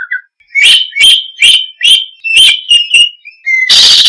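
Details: Energetic oriental magpie-robin song: a run of about eight loud, sharp, bright notes repeated roughly every half second, followed by a thin whistle and a harsh rasping burst.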